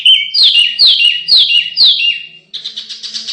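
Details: Canary song used to train contest birds: four loud descending whistled slurs about half a second apart, then a quick buzzy chattering burst.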